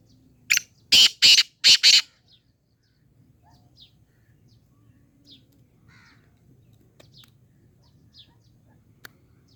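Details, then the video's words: Black francolin delivering a sharp lead note and four loud, harsh, buzzy notes within about two seconds, then quiet with scattered faint chirps from other birds. "کالا تیتر کی مکس آوازیں کالا تیتر کی بولیاں ہیں"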